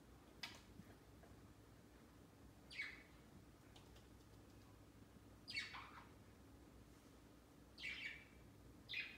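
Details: Caged pet budgies flocking on a Christmas tree placed beside their cage, celebrating their first Christmas Day. Brief harsh descending chirps come every two to three seconds, five in all, with faint scratchy clicks between them indoors.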